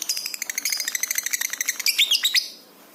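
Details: Lovebird singing prolifically (gacor) with high emotion, used as a tutor recording for training pet birds: a fast train of harsh, buzzy chirps repeated several times a second, ending in squeaky whistled notes before fading out.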